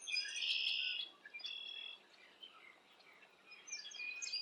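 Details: A fledgling Red-headed Woodpecker on a limb about 150 feet from its nest tree, near Hannibal by the Mississippi River, on a July Sunday morning, gives a loud, harsh, raspy burst lasting about a second, followed by scattered softer high chirps and squeaks.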